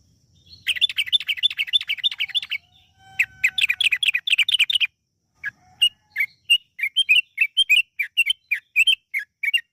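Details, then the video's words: Yellow-vented bulbul song used as a lure to prompt other bulbuls to sing, in a lively, long, rapid style. Bursts of quick chirpy notes, then a pause and a run of separate sharp chirps repeated in an uneven rhythm. "PANCINGAN TRUCUKAN AGAR BUNYI burung TRUCUKAN GACOR ROPEL PANJANG"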